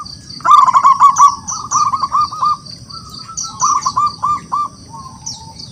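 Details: Local zebra dove from the wild in strong song, calling rivals to answer. Loud groups of rolling, stuttered coos alternate with drawn-out softer notes. A steady shrill tone and high chirps accompany.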